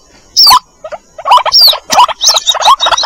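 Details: White-breasted waterhen chicks calling their mother, used as a lure: sparse sharp notes, two high sweeping downslurred whistles, then quick clusters of squeaky chips.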